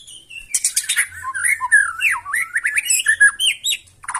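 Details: White-rumped shama delivering a loud, harsh bursting song meant to provoke other birds into replying: rapid buzzy bursts, then a run of whistled rising and falling slurs, ending in a scratchy burst.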